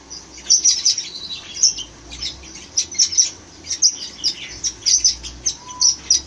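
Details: Red-rumped parakeets keep up bright, high-pitched chirps in quick clusters, short sharp notes spaced irregularly about every half second, with a quiet steady background.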